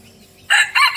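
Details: Decoy red junglefowl crowing: after a quiet start, a loud harsh burst is followed by a short arched second syllable, the crow cut off abruptly.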